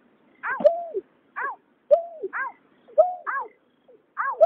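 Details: Water rail pair, male and female, calling in 2021 for night bird trapping: arched, falling harmonic notes each answered by a level or dipping lower note, repeated roughly every second in an uneven rhythm.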